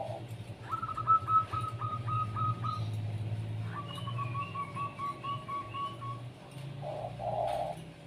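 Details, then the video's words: Zebra dove kept as a pet and sunned in the morning, heard in a rapid series of short repeated notes, then a second lower run and a hollow coo, while smaller birds chirp higher up. "penjemuran burung perkutut biar rajin dan gacor"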